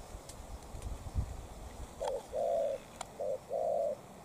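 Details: Spotted dove, a decoy challenging a wild bird. After low rumbling handling noise, two clear coo pairs follow, each a short note then a longer, steady coo about a second apart.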